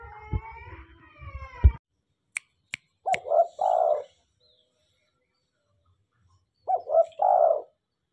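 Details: Tame, vocal spotted dove cooing: two low, hoarse phrases, each a couple of short rising notes and then a longer drawn-out coo, separated by a few seconds of quiet. A person talks at the start, and a few sharp clicks follow.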